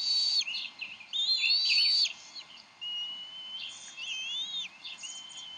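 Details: Bald eagles at the Decorah nest: the father brings up a fish, then the parents squabble over it before the mother feeds the eaglet. Their high, thin whistled chirps and chattering piping come in bursts, some notes sliding up and down.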